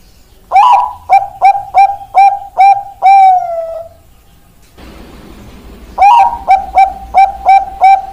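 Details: Bangkok-type zebra dove, a ringed bird praised for a big, long voice: a cooing phrase of a rising first note, five clipped coos and a drawn-out falling ending, a brief noisy rustle, then the phrase starting again.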